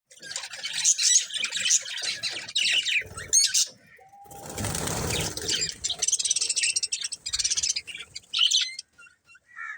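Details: Breeding pair of budgerigars chattering in dense, high, scratchy chirps, with a burst of broadband wing-flapping noise in the middle before the twittering resumes.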